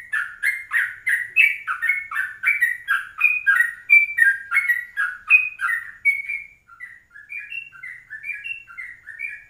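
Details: Yellow-vented bulbul morning song from 04:30, kept as a ropelan-style lure for other birds. Rich, burbling, tumbling phrases roll continuously for six seconds before slower, spaced, slurred whistles.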